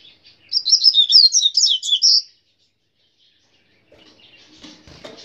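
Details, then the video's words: Rusty-collared seedeater, called coleiro grego pardo, singing a fast, jumbled run of high chirping and whistled notes for nearly two seconds after a soft lead-in note, then silence and faint rustling noises. "Coleiro grego pardo"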